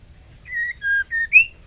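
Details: Female white-rumped shama in breeding condition calling the male: one phrase of four pure whistles, a level note, a lower longer note, a short middle note and a final rising upslur.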